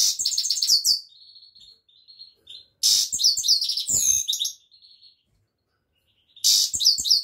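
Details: Song of a European goldfinch: fast tinkling twitters and trills, thin drawn-out whistles, then loud buzzy and chattering bursts mixed with twittering, resuming after a short silence.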